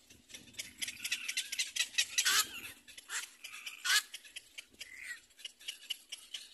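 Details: Little black cormorant chicks at the nest competing for their mother's food, giving a dense run of harsh, raspy, overlapping begging calls with louder bursts near two and four seconds.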